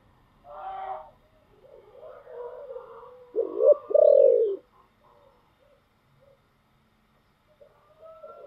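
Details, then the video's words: Spotted dove song of the giọng thổ style, opening with a brief burst, then murmured low cooing leading into two strong coos, the last longer and falling, followed by quiet scattered notes. "cu gáy giọng thổ"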